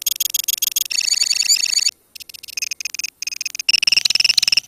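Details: Long trilling ngekek from a lovebird colony: bursts of fast, high-pitched rattles separated by short breaks, with overlapping birds producing a shrill, stuttering chatter that builds again toward the close.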